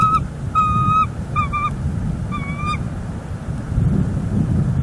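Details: Wild bald eagle at a northeast Florida nest on December 18, 2021, picked up by a live nest camera as the male brings in dried grasses and takes a turn on the egg: a few clear, piping notes in short bursts over a steady low rumble.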